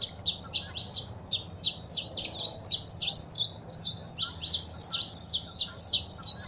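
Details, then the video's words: Saffron finch recording of a female's calls and a male singing, played to stimulate pet birds. Dense series of high, sharp chirped notes in quick, uneven bursts, about two to three per second, with faint low background hum. "Foguea seu Canário da Terra com Esse Piado de Fêmea e o Macho Cantando"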